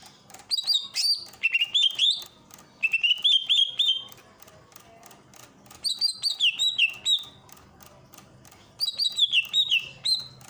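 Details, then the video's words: Greater green leafbird from Ujung Kulon, recorded as a master song for training birds with a water fountain: bright whistled phrases sliding up and down in three bursts, separated by short pauses, with sharp clicking and ticking in the background. "burung cucak ijo ujung kulon.. masteran cucak ijo"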